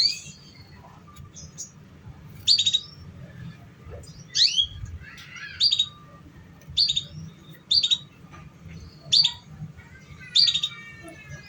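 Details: Canary lure song played to prompt young, still-untrained canaries to start singing: sharp, high chirps and short twittering notes, spaced irregularly about one per second, over a faint low background hum.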